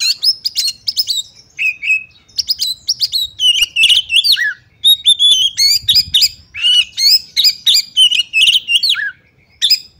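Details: Calls of a female Oriental magpie-robin meant to excite males into combat and fanning their tails. Almost continuous chatter of high, slurred whistles and scratchy chirps, about three per second, ending in a pause and a lone chip.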